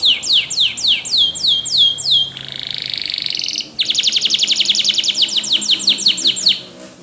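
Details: Spanish Timbrado canary singing for canary training, opening with repeated downward-swooping whistles, then a buzzy sustained trill and a long run of rapid, evenly spaced ringing notes.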